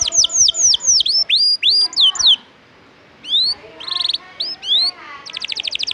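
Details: Canary singing a lively, varied song meant as tutoring for other songbirds: quick series of falling whistled notes, a short pause, then buzzy bursts, rising slurs and a rapid high trill at the end.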